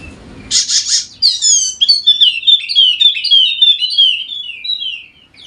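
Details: Wallacean white-eye, golden-headed, endemic to Sumbawa in West Nusa Tenggara, played to get quiet birds singing: a harsh buzzy burst opening into a long lively run of high twittering, slurred whistled notes.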